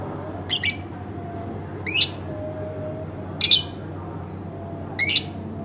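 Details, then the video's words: Household pet lovebird giving four harsh, scratchy high squawks spaced about every one and a half seconds against a quiet background hum. "masteran bukan tapi burung lovebird rumahan"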